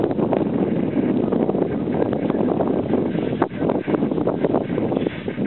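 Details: Steady wind buffeting a microphone with the low rumble of a vehicle engine and faint rustling; no animal calls stand out.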